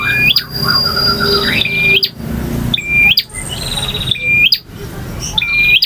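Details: Varied song of a male bar-winged prinia, ngotot, ngalun and kristal styles: level ringing whistles snapping up into a loud click, phrases coming roughly each second, some lower notes early on, faint low rumble beneath.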